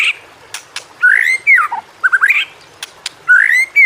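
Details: White-rumped shama song, a training recording meant to coax quiet shamas into singing: rich, sweeping whistled phrases rising and falling, separated by brief sharp clicks.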